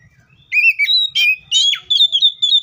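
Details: Oriental magpie-robin in the wild singing a varied phrase of rich whistled notes, some sliding, some steady, with short scratchy bursts between them.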